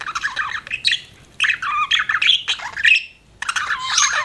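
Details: Budgie chatter made of rapid scratchy warbles and squawky notes, which come in uneven bursts with a short silent gap near the end.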